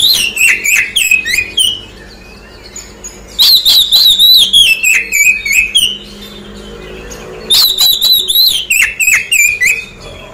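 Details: Oriental magpie-robin lure song for birds just finished moulting, three loud bursts of sharp, whistled, rapidly repeated descending notes with brief quiet gaps between them.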